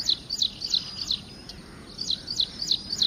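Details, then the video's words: Ashy prinia song, edited as a masteran resembling ciblek semi: quick high piercing chirps in two runs of about four notes each, separated by a one-second pause, over soft constant hiss. "Masteran Mirip Ciblek Semi"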